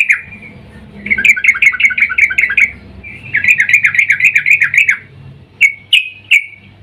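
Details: Female sooty-headed bulbul in breeding mood calling the male, used as a lure: two runs of rapid, bubbling chattered notes lasting about two seconds each, followed by three separate sharp chirps.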